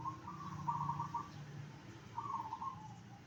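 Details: Zebra dove singing, meant to prompt other zebra doves to answer: two trilled, bubbling cooing phrases at a steady pitch, about a second apart, with low background hum.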